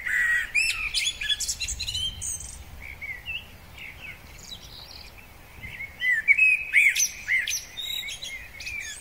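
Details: Male common blackbird singing in spring: low, fluty warbled phrases, each ending in a thin high twitter, with a pause between two bursts of song.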